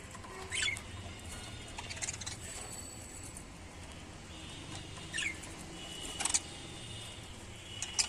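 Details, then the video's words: Lovebirds give sharp, shrill chirps in short scattered bursts a second or more apart, over a faint steady hiss and low room hum. "Love birds sound"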